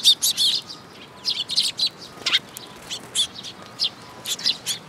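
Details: Several sparrows flocking to a bridge-railing feeding spot at a Tenmangu shrine, June 2022, giving sharp high chirps in scattered clusters with brief pauses between.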